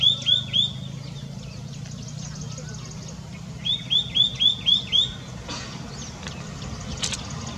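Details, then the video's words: White-naped tit calling away continuously in India: a run of high whistled notes, then a second series of five evenly spaced rising whistles, over low background hum and a few clicks. "White-naped Tit calling"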